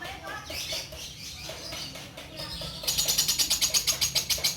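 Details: Caged female orange-bellied leafbird of the Bio Green type, kept at a bird farm as a song tutor for other birds. Soft, varied warbling and rustling open the clip, then a loud, fast series of evenly spaced, piercing high chips begins.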